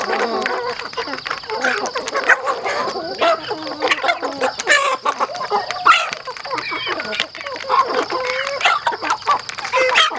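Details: A group of farm chickens feeding, heard as continuous chattering clucks and occasional sharper chirps, mixed with rapid pecking clicks throughout.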